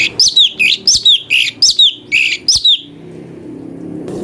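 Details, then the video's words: Cucak cungko song variations used as a master for training magpie-robins: a rapid series of about ten short, bright chirped notes with rising-falling twists, evenly spaced, ending before a quiet stretch and a faint rustle. "CUCAK CUNGKO||fariasi suara cungko buat masteran murai"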